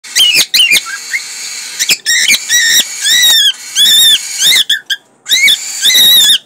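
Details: Pet male cockatiel giving its breeding call, a loud series of whistled, warbling phrases with squeaky notes.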